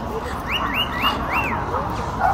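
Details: Wild lorikeets in Nanango town, South Burnett: a run of four short arched notes, each rising then falling, given in quick succession over about one second above a steady low background hum.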